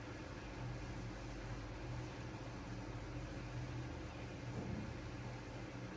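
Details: Steady low mechanical hum, like a fan or engine, fills a small indoor space, with broadband hiss and no animal calls.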